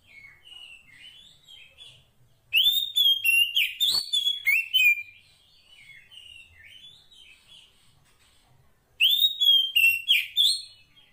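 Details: Wild female Oriental magpie-robin of the 'poci' type, calling to the male: two loud bursts of rapid whistled, slurred notes, each several notes long, separated by a quieter stretch of soft warbling.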